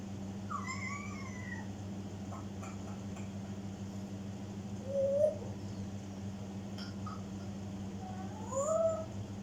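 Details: African grey parrot mimicking, with gliding whistled notes early on, then two rising whistles that end in short wavering tones, over a steady low hum.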